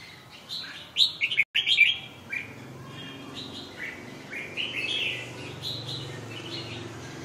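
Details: Red-whiskered bulbul with one loud, lively phrase of quick, chirpy whistles, followed by softer, more distant warbling notes against steady background noise.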